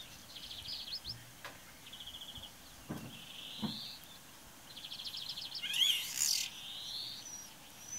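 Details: Morning song of a common starling at Braziūkai, Kaunas district, Lithuania, recorded 8 April 2018: rapid mechanical rattles alternate with drawn-out whistled notes and a sharp burst of clicks, with a faint low thump in the background.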